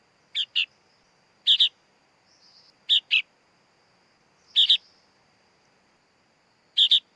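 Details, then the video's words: Young sooty-headed bulbul calling with rasping two-part chirps, five bursts at uneven intervals, with a soft whistled note between some of them and a faint constant high tone behind. "Suara Anak Burung Kutilang Bayi Kutilang"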